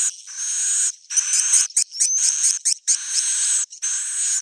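Swiftlets chatter in dense bursts of high, buzzy chirps and thin whistles, about a second each, broken by brief pauses.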